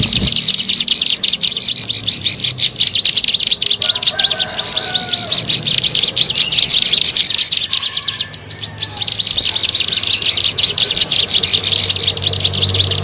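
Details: Lure recording of a bar-winged prinia: continuous, shrill, high-pitched chirping at roughly three notes a second, briefly softer near the middle, over a quiet low background rumble.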